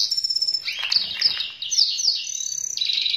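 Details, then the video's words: Black-hooded siskin singing energetically and sweetly: a thin high whistle, then quick chirps and sliding notes, ending in a sustained buzzy trill. "𝙱𝙷𝚂(𝘣𝘭𝘢𝘤𝘬 𝘩𝘰𝘰𝘥𝘦𝘥 𝘴𝘪𝘴𝘬𝘪𝘯) 𝘴𝘪𝘴𝘬𝘪𝘯 𝘬𝘶𝘯𝘪𝘯𝘨 𝘨𝘢𝘤𝘰𝘳 𝘮𝘦𝘳𝘥𝘶 𝘣𝘢𝘯𝘨𝘦𝘵𝘵"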